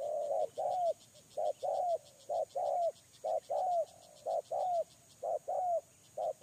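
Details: Spotted dove, a lure bird, cooing steadily: paired low notes, the second longer and falling, coming about once a second, with light ticking sounds high above.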